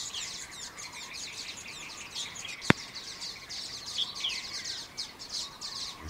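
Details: Common waxbills, escaped cage birds in Kaohsiung, Taiwan, recorded 18 January 2018, keep up a dense, high, thin chatter of quick overlapping chips and tzit notes, with one sharp click partway through.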